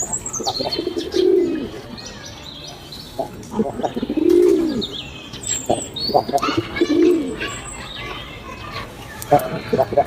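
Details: Pigeons foraging, one giving soft, low, rounded coos roughly every three seconds amid clicks, wing flutters and a busy background of chirps and voices.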